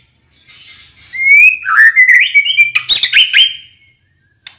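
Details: Murai batu (White-rumped shama) song used in the morning to rouse another bird and for young birds to learn from: a soft start, then a clear rising whistled phrase running into rapid twittering and chirping notes, before it goes quiet.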